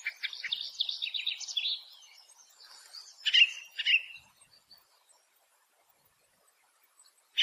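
Ring ouzel song: a quick, high twittering warble for under two seconds, then two loud, clear piping notes that slur downward, followed by near silence.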